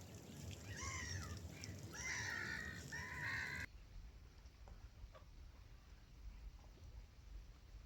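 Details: Gulls flying over a river, recorded as natural sound: harsh, slurred, harmonic cries rising and falling in several overlapping bursts during the first half, then only a quiet low rumble of open-air ambience.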